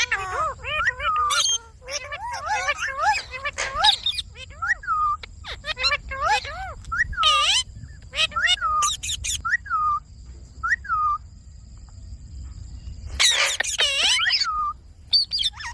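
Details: Pet Indian ringneck parakeet talking: high, slurred speech-like phrases with gliding tones and short squeaks in bursts over the first eight seconds, a quiet stretch, then a loud harsh burst near the end.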